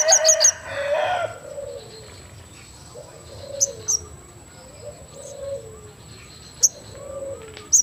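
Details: A crested jay sings: a loud, harsh rattling burst, then soft low warbled notes with sharp high clicks every second or two over a steady high whine.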